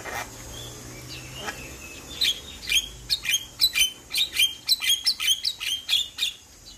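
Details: Javan myna singing vigorously, used as a tutor recording to prompt young mynas to respond: sharp clicking notes and short whistles repeated roughly twice a second, starting faintly and growing louder, over a quiet low hum.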